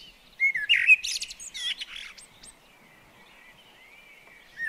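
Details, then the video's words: One short common blackbird phrase at a garden bird table: a brief mellow whistled note, then a jumble of high squeaky twitters, followed by near silence and a faint distant whistle. "Garden Birds Singing The Blackbird"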